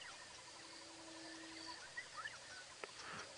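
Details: Buttonquail, numerous in the area at the time, gives a low, steady hoot of about a second during a 5:30 AM sunrise safari drive at Djuma Game Reserve on March 28, 2017, over insect buzzing and faint chirps from other birds.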